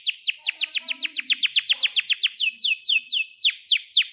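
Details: Canary singing a long roll, used to teach young canaries and revive birds that stopped singing: fast series of high, steeply falling chirps, about five per second, slowing slightly near the end.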